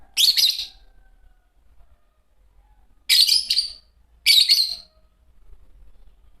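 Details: Three sharp, shrill chirp bursts from a green Fischer's lovebird pair, each about half a second long and separated by near silence.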